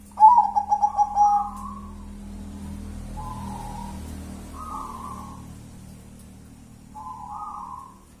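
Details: Zebra dove of local natural stock in ngelaras one-and-a-half engkel song: a pulsing, stuttered opening coo, followed by three separate mellow, level coos spaced a few seconds apart over a faint low hum.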